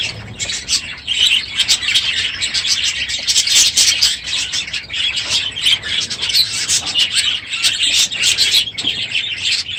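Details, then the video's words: Aviary packed with budgerigars at the end of the breeding season, loud in the morning: steady dense chatter of warbles, squawks and chirps from many birds throughout. "My Budgies Today - NOISY birds this morning!"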